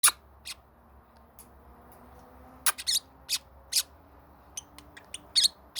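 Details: A male pet parrotlet makes a string of short, sharp smacking kiss sounds, irregularly spaced and sometimes doubled, over a faint low room hum; elsewhere he also says "Birdie".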